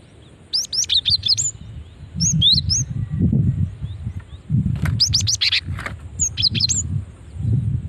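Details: Female cinereous tit calling to attract responses from other cinereous tits; clusters of high, quick, slurred chirps sound over a steady low rumbling background noise.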